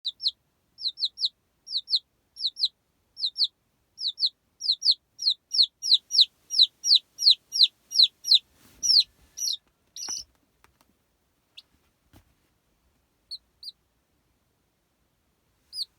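Baby chicks peep in quick, high, downward-slurred notes that come in a steady run.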